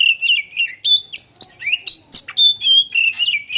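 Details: White-rumped shama singing, used to coax other birds into song: a brisk flow of pure whistles, slurred notes and chattering clicks, changing pitch constantly with no real pause.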